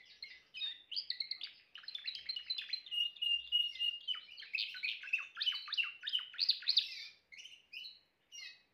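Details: Timbrado canary singing a long continuous song of rapid, repeated trilled syllables, about three or four per second, with sliding whistled notes between higher and lower tones and brief pauses near the end.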